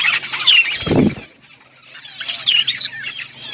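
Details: Budgerigar flock in an outdoor aviary: warbling chirps near the start, a low flutter of wings around one second, then a renewed burst of chattering trills.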